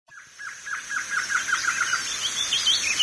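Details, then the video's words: Wing-barred seedeater, known locally as coleiro-do-norte or papa-capim, singing: a rapid series of short repeated notes, about three per second, followed by higher, thinner twittering phrases over a steady high-pitched insect-like hiss. "Canto de Pássaros - Coleiro-do-Norte (papa-capim)"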